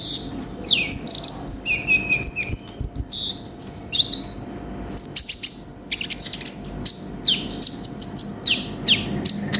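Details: Lively konin (sunbird) 'gacor' song rich in 'isian' fill phrases: a fast, varied run of very high twittering notes, thin whistles and quick descending slurs, nearly continuous, over a faint steady hum.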